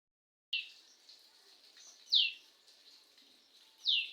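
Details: Kingfisher perched on a neem tree on a June afternoon, calling a few high, shrill, downslurred notes spaced over a second apart, over faint background hiss.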